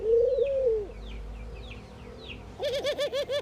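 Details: One long wavering coo of a ring-necked dove during morning activity in India, then a pause with distant chirps, and finally a quick series of six short, throaty pulsed notes.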